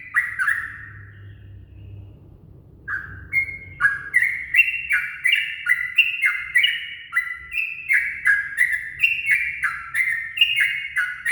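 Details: Yellow-vented bulbul at dawn, used as a lure: an opening phrase, a two-second pause, then a lively unbroken series of bright chirping notes stepping up and down, roughly three per second.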